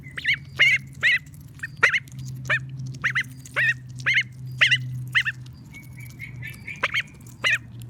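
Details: Female call duck kept at a high school in Saitama, Japan, calling in a steady series of short, nasal, honking quacks about every half second, over a constant low electrical hum.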